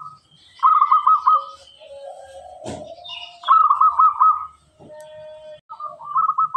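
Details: A clear-voiced local zebra dove in full song delivers short bursts of rapid, rolling coos about a second long, separated by pauses, with a thud and a steady lower tone in between.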